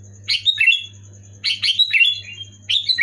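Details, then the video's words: Sooty-headed bulbul giving loud, clear song meant to prompt lazy pet bulbuls to sing: three brisk bubbly phrases of slurred, descending whistles, with a faint steady high whine and low hum underneath. "Suara burung kutilang gacor keras jelas bikin kutilang omyokan macet malas bunyi auto bunyi gacor"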